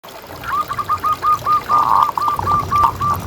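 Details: Local zebra dove with a big voice, used as a lure to make other doves call: a rapid series of short, soft cooing notes, evenly spaced, running for almost three seconds over a low hum.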